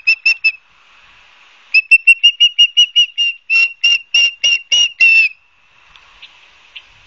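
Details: Osprey calling at its nest in Barnegat Light, New Jersey, 12 September 2022: bursts of loud, high whistled cheeps, three quick notes, a pause, then a long rapid series growing harsher and louder before stopping.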